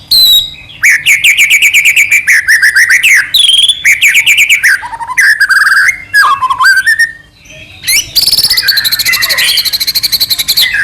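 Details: Long bout of white-rumped shama song, used as a lure to make another shama sing emotionally: varied sweeping whistled phrases and downslurs, brief breaks, ending in a fast, high, buzzy trill.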